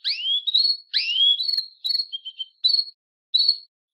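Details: Female Belgian canary calling repeatedly to mate: bright, high chirps, some sweeping steeply upward then levelling, others short flat notes, in bursts about every half second, with no other sounds.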